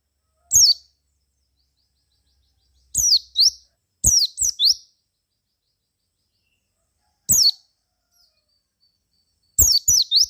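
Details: Lure song of a Javan white-eye, meant to prompt other white-eyes to reply: isolated high chirps and short clusters of two to three sweeping notes, with long silent gaps between them.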